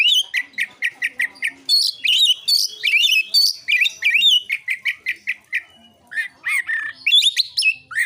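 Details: Provocative fighting song, called narung, from an Oriental magpie-robin: crisp repeated chip notes in quick series alternating with loud whistled slurs and buzzy phrases, clean and without background noise.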